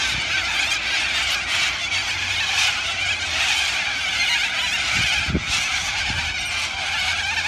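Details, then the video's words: A flock of noisy cockatoos on an evening of 25 August 2020 in Liverpool gives harsh, raucous screeches that rise and fall in loud bursts every second or two over a steady wash of flock chatter. "Noisy Cockatoos"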